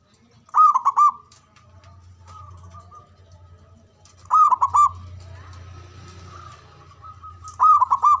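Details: Ngoar manggung call of a male local zebra dove, meant to stimulate mating arousal: three rolling, bubbling coo phrases spaced roughly three and a half seconds apart, with a faint low hum and a soft hiss between them.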